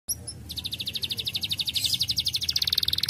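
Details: Canary song meant to stimulate other birds to sing: after two brief opening notes, a fast, even trill of high chirps runs about four per second, shifting into a denser, louder buzzy trill near the end.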